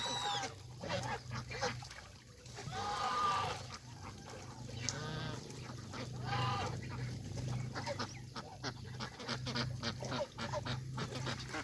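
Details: Farm geese leaving their pen to feed on fresh greens in the countryside give repeated nasal honks with layered harmonics, some overlapping, over a steady low hum and general farmyard noise.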